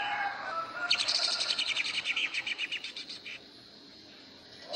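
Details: Greater green leafbird, ngentrok song style for contest training: a quick run of repeated sharp high notes, slowing and fading over about two seconds, set against a noisy background with soft murmuring.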